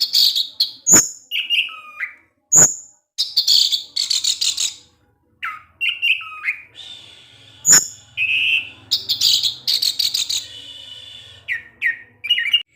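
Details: Caged orange-headed thrush in 'ngecip ngecis' style singing: loud sharp clicks, dense buzzy bursts, warbled looping whistles and chattering phrases packed closely together, with short gaps and a faint low hum underneath.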